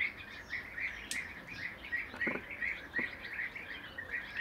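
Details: Bee-eaters, three perched in a row, giving short rolling trilled calls repeated rapidly and unevenly, several overlapping, over soft outdoor background noise.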